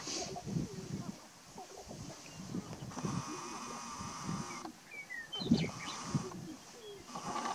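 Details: Lekking male sharp-tailed grouse, Burwell, Nebraska, spring morning of March 29, 2018, uttering low gobbling clucks in uneven bursts, with a steady buzzing hum midway and short whistled bird notes overhead.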